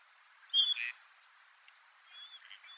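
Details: A wintering gadwall, during display, gives one short high whistle followed at once by a brief rasping note; fainter thin whistles from other birds come later.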